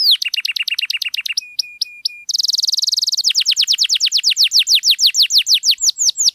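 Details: Canary song played to stir silent canaries: repeated notes over a low steady whistle, a short buzzy rattle of very fast notes, then a long run of falling whistled notes gradually slowing.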